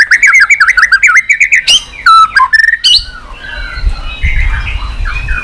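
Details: White-rumped shama song, meant to rouse a bird and get it singing and tail-flicking: a quick string of bright, wavering whistles, then loud sharp notes and fluid slurred phrases, with quieter whistling and low background rumble at the end.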